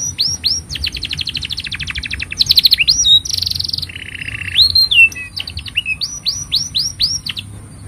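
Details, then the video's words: Canary singing a long, steady song used as a master for tutoring young canaries and prompting silent ones: rapid trills of high, repeated notes, then buzzy rolls and sweeping whistles, ending in a series of upswept high chirps. "Kenari Gacor Panjang Ini Bagus Untuk Masteran Kenari Paud Dan Pancingan Kenari Bisu"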